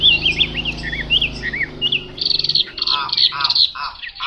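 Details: Chinese hwamei starting with lilting up-and-down whistled notes, then switching to repeated buzzy, burry bursts in short groups, with a low background hum early on.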